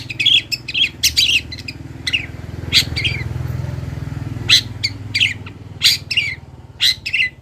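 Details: Local long-tailed shrike from Kendal in a master recording for training birds: clusters of sharp chirps and harsh bursts with pauses, over a steady low engine hum.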